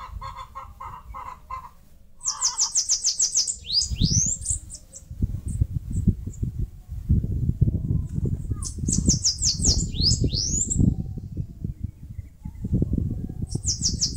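Bananaquit giving very high, thin, rapid sputtering trills that end in quick buzzy sweeps, repeated about every five seconds, over low rumbling wind and a brief pulsing call at the start.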